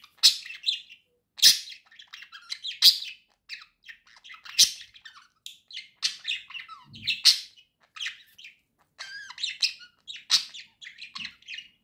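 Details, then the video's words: Two domestic budgerigars warbling together: bright, sharp clicks and tweets mixed with scratchy chatter, loud emphatic notes recurring roughly every one to two seconds through a long, lively run of song. "Весёлое пение волнистых попугайчиков"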